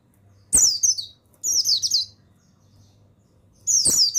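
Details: Male mountain white-eye of the buxtoni form, a master recording meant to stimulate other white-eyes. Three quick, piercing, wavering twitter phrases with a click at the first and last, over a soft low hum.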